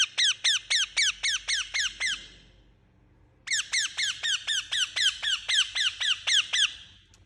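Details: Parrot giving rapid high chirps, each a crisp falling squeak, steady at roughly four per second, broken by a short silence before a second long run starts.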